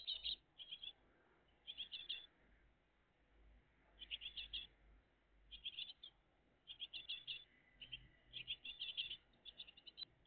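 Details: At a great tit nest on a June 2023 morning, a family gives harsh, scratchy chattering bursts in loose clusters separated by quiet gaps, with a constant low hum and rumble underneath.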